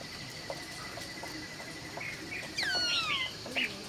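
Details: Laughingthrush at dawn giving a bright whistled phrase with a long smooth downward slur, preceded by soft short notes, over steady background hiss.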